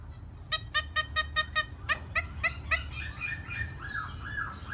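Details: Black-throated laughingthrush song with dancing: a quick, regular string of clipped, ringing notes, about five per second, then a jumble of softer wavering whistles over background hiss.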